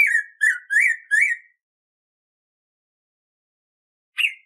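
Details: Training song of the black-throated grosbeak for captive birds: four rich whistled notes in a rapid phrase, a long silence of nearly three seconds, then one rising whistle.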